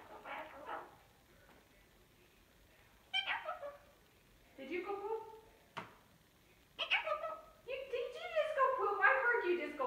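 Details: Pet cockatoo at night under a sheet-covered cage, recorded in darkness after bedtime. Quiet, scattered nasal chatter and short squawks, with a click midway and a run of busier, wavering talk-like notes at the end.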